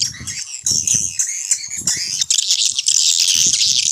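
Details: Swiftlet calling sound, vintage-style lure to attract swiftlets: raspy, buzzy high notes and ticks that swell into continuous harsh chatter, with intermittent low rumbling.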